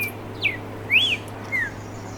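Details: Streaked saltator (Saltator striatipectus) song: three clear whistled notes over two seconds, a downslur, then a rising-then-falling arch, then another downslur, over a faint low hum.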